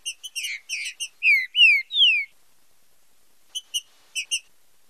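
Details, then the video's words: A green-winged saltator gives marcheado-style song for training: a run of quick, buzzy stuttered chips followed by three bright, downward-gliding whistles, then a pause and more scattered metallic chips. "TRINCA FERRO FIBRA COM MARCHEADO - ESPECIAL PARA TREINAMENTO E ESTIMULO DE CANTO"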